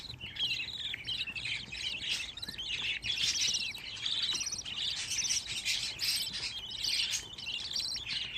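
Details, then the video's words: Fifteen budgerigar chicks kept together indoors, giving a dense, continuous chorus of high, scratchy chirps and warbling twitters that overlap without pause. "Muhabbet Kuşu Bebişleri Özel #7 Yavruların 15 'i Biryerde"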